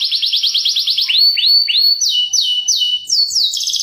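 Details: Canary lure chirping: a quick run of repeated high notes, then spaced downslurred whistles about every third of a second, then pairs of sweeping notes and a fast trill.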